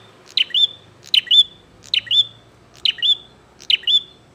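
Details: Bar-winged prinia singing energetically, challenging a rival to fight: five sharp two-part chirping phrases, a bright high chip followed by a trilled note, repeated roughly every 0.8 seconds over a quiet background.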